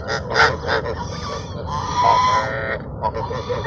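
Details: Fed ducks at Sunset Park, 10-10-17, call with harsh honks early on, then a drawn-out, wavering nasal note through the middle, with scattered short calls toward the end.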